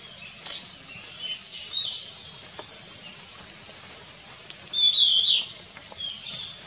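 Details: High, thin whistled song of a Nilgiri sholakili at Kudremukh, the northern edge of its range: short sweet slurred phrases separated by long quiet gaps, four phrases in all.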